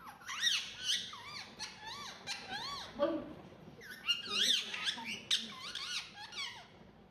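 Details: Indoor ringneck talking parrot, kept as a pet, chattering continuously in rapid, wavering, squeaky phrases with a few lower, speech-like murmurs mixed in, in repeated bursts.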